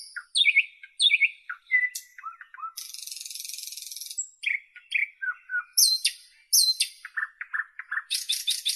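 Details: Nightingale singing a rich, varied song: steep downward-sweeping notes, a long harsh buzzing trill, liquid low whistles and fast repeated high chips, phrases following each other with brief gaps.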